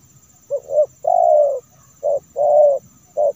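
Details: Spotted dove call used as a lure to attract wild doves: soft, low hooting coos in a pattern of short note, long drawn coo, short note, long coo, short note, with a faint steady high hum behind.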